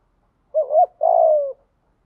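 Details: Spotted dove coo used in decoy-bird training: a quick undulating double note, then one sustained grainy note easing downward, with nothing else audible.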